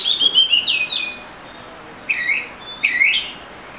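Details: Oriental magpie-robin singing: a few whistled, slurred phrases in the first second, then a pause and two bright downward-sweeping notes near the end.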